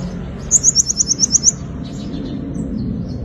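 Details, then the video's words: A sunbird's fighting song, used to lure birds: a single quick, very high trill of about eight sharp, evenly spaced notes lasting a second, then soft low background hum. "Tiếng chim hút mật 5 màu dùng đi mồi đánh bổi - Tiếng chim hút mật 5 màu hót đấu"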